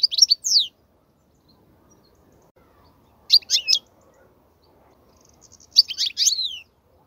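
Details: European goldfinch song used for tutoring young goldfinches: three short separate bursts of sharp, falling twittered notes spaced about three seconds apart, with silence between.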